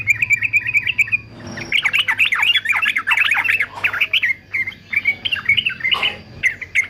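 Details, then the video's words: Male fighter yellow-vented bulbul singing for training: a short warbled run, a brief rustle, then a long fast sequence of bubbly, sliding notes and sharp chirps, ending with scattered whistles. "TRUCUKAN JANTAN FIGHTER ANTI BISU"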